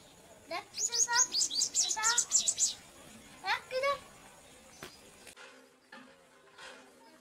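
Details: Purple sunbirds feeding their chicks: a quick run of sharp, high, thin chirps, closely spaced and bunched, for about three seconds, then a pause and a few fainter scattered chirps against low background hiss.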